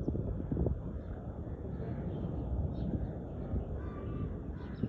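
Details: A crow gives harsh, rasping caws against a steady low rumble of background noise that fills the whole recording.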